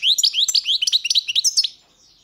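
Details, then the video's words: Short European goldfinch phrase of about a dozen quick, clear upslurred chirps in steady succession. The last notes turn higher and buzzier before fading out. "Pesma štiglića"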